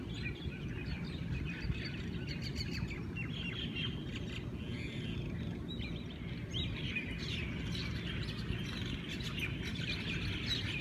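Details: Hawaiian birds in a lively morning chorus in Hawaii, with dense overlapping chirps, trills and whistles from many birds over a persistent low rumble.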